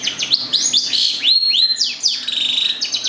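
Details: Caged-type local long-tailed shrike from Gedong Songo, Central Java: quick sequence of rising swept whistles and buzzy chatter, arched slurs following one another closely.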